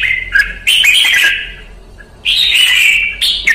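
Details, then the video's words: In Vietnam a Red-whiskered bulbul under training sings two sustained, rich warbling phrases of whistled notes with a short quiet gap between them. "CHÀO MÀO | Luyện ché Pycnonotus Jocosus Red-Whiskered Bulbul"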